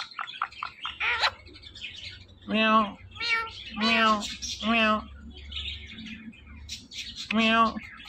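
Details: Indian ringneck parrot indoors mimicking a cat-like meow, the nasal call repeated four times amid soft chatter and a person speaking.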